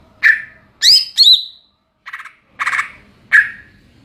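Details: Greater green leafbird (cucak ijo) singing ngeplong: mixed loud whistled downslurs and clipped harsh chattering notes, in quick alternation with brief gaps.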